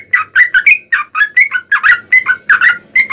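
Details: Sooty-headed bulbul song meant to prompt other bulbuls to answer: a steady run of short, bubbly, slurred whistled phrases, each note rising then dropping, repeated several times a second.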